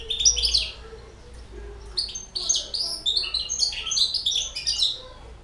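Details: European goldfinch, six months old, singing: high tinkling, twittering notes and short buzzy phrases in quick, jumbled bursts, with a low hum and faint voices behind.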